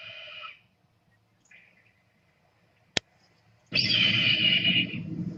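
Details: Red-tailed Hawk (Buteo jamaicensis) scream: a shorter screech, then a harsh, hoarse scream dragging downward for over a second; a sharp click and low rumble between.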